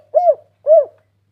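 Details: Spotted dove calling vigorously, used as a lure to make other doves call: two soft, hollow, arched coo notes about half a second apart, clean and quiet background.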